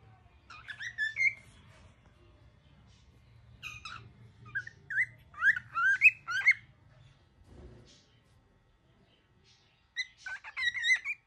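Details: An angry baby cockatiel calls in short scratchy chirps and rising squeaks, grouped in bursts of several notes with pauses between, over a low steady indoor hum.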